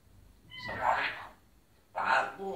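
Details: A caged African grey parrot (Psittacus erithacus) in Cairo, Egypt, talks in a deep, man-like voice: two short, mid-pitched, slightly nasal phrases about a second apart.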